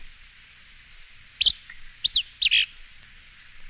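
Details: Acadian Flycatcher song: a few abrupt, high, sharply slurred notes in quick succession, one loud explosive burst followed by a pair of rapid up-and-down phrases, against a quiet hissing background.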